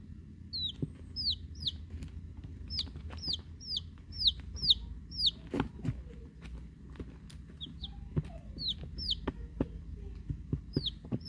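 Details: Eleven week-old chicks, Rhode Island Reds, Black Sumatras and one mystery chick from a hatchery, giving a steady stream of high peeps that rise then drop sharply, often in quick pairs, over a low rumbling hum and occasional taps.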